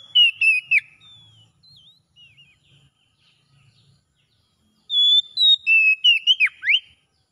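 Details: Magpie-robin singing in the 'ngalas' wild style, aimed at a bird that no longer sings: short whistled slurs, then a stretch of quiet warbled notes over a faint low hum, then a loud phrase of ringing, sweeping whistles.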